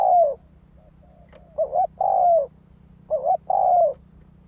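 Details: Spotted dove song played to lure wild doves: repeated phrases of a quick doubled wavering hoot, then a drawn-out descending coo, about three phrases in a few seconds, with a constant low hum beneath.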